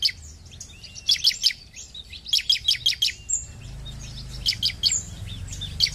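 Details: Bar-winged prinia (ciblek) singing vigorously: rapid bursts of sharp, high chirps in tight clusters of four to six notes, repeated every second or so, with softer twittering between bursts and a faint low rumble beneath.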